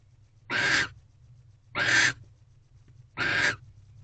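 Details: Barn owl pair in a nest box, 11:24 pm on 18 February 2023, female keeping hold of a rodent the male delivered; three evenly spaced, harsh wheezing screeches about a second and a half apart, low background hum.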